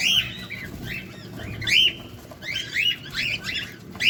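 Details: Cockatiel calls during feeding, recorded close: sharp upslurred chirps with bright overtones, coming singly and in small clusters roughly every half second, with faint low rumble behind.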